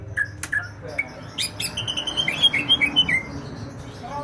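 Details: Vigorously singing greater green leafbird from Banyuwangi: scattered short whistles and clicks, then a rapid burst of bright chirped notes rising and falling, followed by quiet hum.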